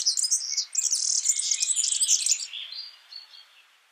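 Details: Yellow-fronted canary in the wild: a dense high rapid warble of chirps and trills for about two and a half seconds, trailing off into softer, lower whistled notes.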